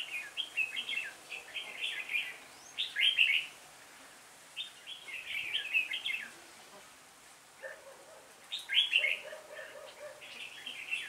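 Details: Lead decoy red-whiskered bulbul calling a flock during trapping, 26 November 2017; lively chirped phrases of quick notes return roughly every three seconds, with pauses between and a brief low trill near the end.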